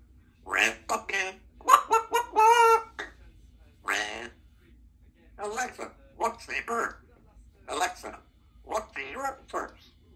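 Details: A female Congo African grey parrot, a talkative pet kept with her owner at work, chatters in short bursts of human-like words such as "I'm a girl" and "kiss", with bright whistled tones between phrases, in a quiet room.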